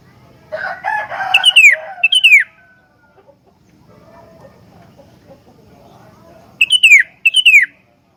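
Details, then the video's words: Sooty-headed bulbul singing vigorously, song meant to lure and tutor other bulbuls: a rough burst of chatter, then two loud clear whistles sliding steeply downward. After a quiet gap with faint low rumble, two more matching downslurred whistles follow. "BURUNG KUTILANG SUPER GACOR ISIAN, COCOK BUAT PANCINGAN/MASTERAN KUTILANG LAIN"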